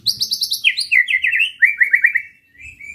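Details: White-rumped shama provocation song: a rapid trill of high repeated notes sliding into a rolling series of loud descending slurs, ending on a steady thin whistle.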